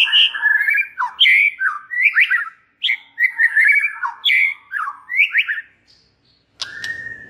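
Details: Song of a white-rumped shama intended to stir other shamas into emotional singing: rapid series of short, bright, twisting whistles and chirps in quick succession, ending after a pause with a long flat whistle.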